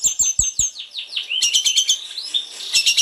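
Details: Snowy-browed flycatcher, called sulingan gunung, singing actively as a lure for others of its species: a descending series of thin sweeping notes with clicks, then dense buzzy high chatter and a short level whistle.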